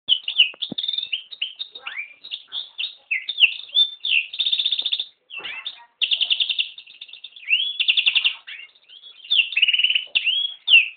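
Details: Yellow-rumped serin (Serinus atrogularis) crossed with a canary singing a long, varied song: rapid trills, buzzy rattles and whistled upslurs around the upper-middle range, broken by short pauses, with no other sounds.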